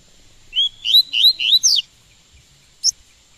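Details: Caged double-collared seedeater being taught its song, one rapid phrase of five upward-sliding whistles ending in a buzzier note, then a single click.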